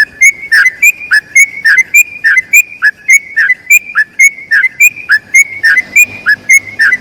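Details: Yellow-vented bulbul giving a long, rapid song used as a tutor recording for other bulbuls: short whistled phrases near the same pitch, repeated steadily about twice a second, each with a sharp bright onset.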